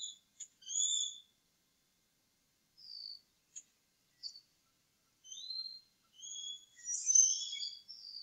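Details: Eagles at a nest on the Upper Mississippi River Refuge, early April, two adult males eating leftovers after the growing eaglets were fed; high whistled call notes with harmonics come in scattered bursts, busiest near the end.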